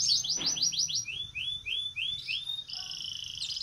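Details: Red siskin in breeding condition, singing steadily in the ngerek style: a run of quick high downslurred whistles, then rising slurred notes about three per second, ending in a sustained buzzy trill; faint low hum beneath.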